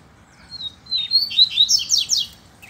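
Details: Double-collared seedeater song during a singing contest between caged males and a loose male: a thin whistled opening that builds into a run of fast, sharp, descending buzzy notes.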